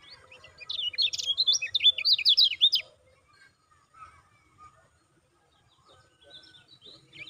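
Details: Lemon-bellied white-eye calling as a lure to provoke caged birds: a two-second run of quick, high, chattering down-slurred chirps, then mostly quiet with a few faint, soft high notes near the end.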